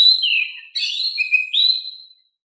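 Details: Calm-voiced Oriental magpie-robin song meant to coax idle magpie-robins into replying: three linked whistled phrases, the first falling, a warbled middle, and a final rising then level clear whistle.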